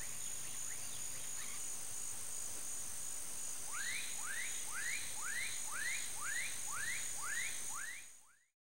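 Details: A female snail kite gives a quick series of about ten arched, rising-then-falling notes, spaced roughly half a second apart. A steady high insect drone runs throughout.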